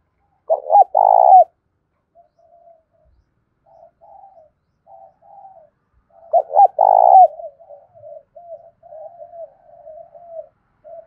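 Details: Decoy spotted dove used to stir wild doves into cooing, in the Vietnamese 'giọng thổ' calling style; two loud, low cooing phrases, each a pair of short notes then a long rolling coo, with soft distant cooing between.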